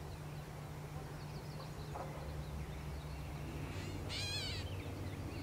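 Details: A single harsh, nasal, cat-like mew from a gray catbird in Canada, slightly wavering and about half a second long, over a steady low rumbling hum.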